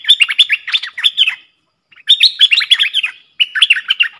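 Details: Streak-eared bulbul pair in a heated song duel, 30 October 2021: quick runs of bright, twittering chirps in three bursts, the notes tumbling up and down, with two short gaps.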